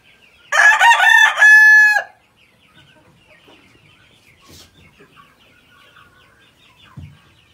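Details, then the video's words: An all-black Ayam Cemani rooster gives a single loud crow lasting about one and a half seconds, harsh and rising then held steady, followed by near silence with faint background chatter. "Ayam Cemani Chicken"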